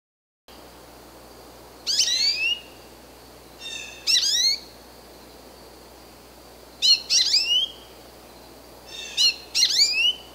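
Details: American goldfinch calling: four clear bursts of high, sweet, twittering notes with quick downslurred and upswept strokes, spaced a few seconds apart over a soft steady background hiss.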